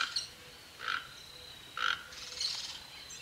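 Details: Toco toucan in Tupi Paulista, São Paulo, Brazil, giving harsh, rasping croaks in short bursts about a second apart, with a thin, steady insect whine behind.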